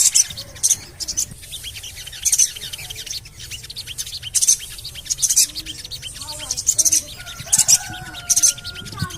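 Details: High, scratchy chirps from a Javan cochoa, a call for luring birds into song. Clustered bursts repeat irregularly, with faint sliding whistles and a steady tone in the background.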